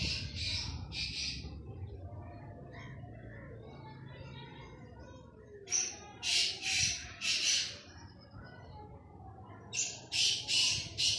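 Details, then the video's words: Harsh, scratchy call of a black francolin during a hunt: a pair of rasping notes, a pause, then two bursts of four grating, buzzy notes in rapid series, with low background rumble throughout. "Titer ki best awaz, Kala titer, black francolin calling for hunt"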